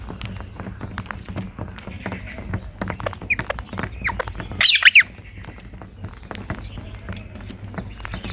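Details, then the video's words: Rose-ringed parakeets, green parrots sitting together on a tree in India: a sudden burst of harsh, loud screeching squawks lasting about half a second midway, over a steady backdrop of clicking and tapping noises. "Green Parrots Natural Sound | Rose Ringed Parakeet"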